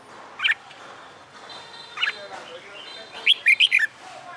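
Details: Red-whiskered bulbul, wild-caught and caged about a month, practising fighting song. Two single sharp chirps are followed by a rapid phrase of four bouncing whistled notes, with a faint steady tone in the background.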